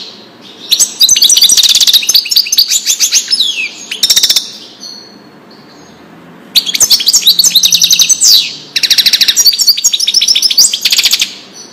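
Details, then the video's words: Tutoring song of a European goldfinch, Wedani style, meant for young birds to learn: quick, jingling twitters and rattling trills in long runs, separated by a quiet stretch before two more energetic bursts. "تغريد الحسون لتسميع الفراخ"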